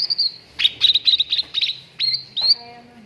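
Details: Cucak ranting singing in a training recording for contest birds: lively high twittering with quick repeated whistled notes, closing with two upward-slurred whistles.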